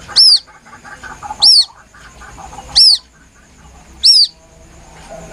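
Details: A White-breasted waterhen chick gives its plaintive lure call: four loud, shrill, down-curving peeps repeated roughly every 1.3 seconds, separated by faint low clatter.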